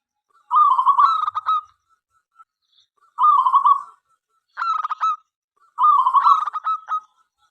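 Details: Local zebra dove singing to draw other doves into song. Four rolling, trilled coo phrases, each under a second and spaced by roughly a second of silence, with a steady rhythm and a clean background.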